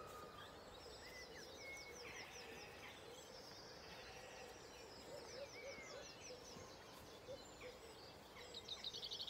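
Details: A misty dawn chorus as a red sun rises on a farm in County Kilkenny, Ireland: several birds overlapping, with high chirps and trills over a steady background hiss.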